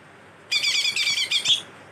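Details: Greater green leafbird giving a chattering song filled with imitated cililin and kastem songs, here a dense, harsh, buzzy burst of rapid high notes lasting about a second, with no other sounds.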